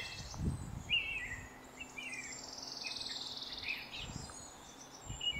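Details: At Laguna Corani, Cochabamba, Bolivia, in April 2023, a red-crested cotinga gives a single steady, harsh, pulsed buzz lasting over a second. Scattered short chirps from other birds and a few low thumps surround it.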